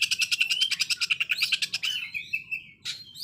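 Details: Oriental magpie-robin in 'konslet' song, rough rapid-fire notes compared to a sewing machine: a steady machine-like rattle of about fifteen quick pulses, then a long wavering whistle and a short harsh burst.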